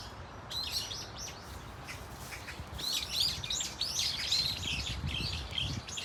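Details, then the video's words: Members of a Brown-eared Bulbul flock in Dunsan Grand Park give squeaky, arching calls that build into a busier overlapping chorus in the second half, with low rumbling background noise. "직박구리 무리 다양한 울음소리 Brown-eared Bulbul sound of crying"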